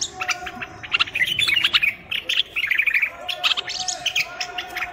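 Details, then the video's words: Common bulbul of Morocco singing for chick training: dense chattering notes in two long busy bursts, rapid and squeaky, with a steady faint hum underneath. "تغريد البلبل:طائر الوطواط المغربي."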